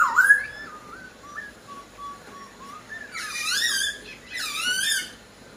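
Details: Laughingthrush song: a loud opening whistle trailing into quiet wavering notes, then two rich bursts of rising and falling warbled whistles.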